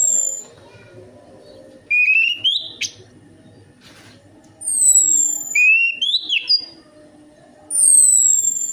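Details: Orange-headed thrush song played as a lure to get a quiet bird singing: three clear whistled phrases, each a rising slurred note followed by high, thin, descending whistles, with quiet pauses between them.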